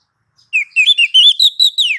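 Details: Kacer, the Oriental magpie-robin, sings a training phrase of about a dozen bright whistled notes. They step upward, then end in a long falling slur. The background is silent.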